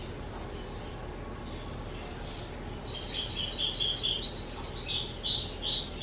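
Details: Caged two-year-old skylark, 18 April 2023, starting with a few isolated high chirps before breaking into a continuous, rapid, jangling warble for the last three seconds.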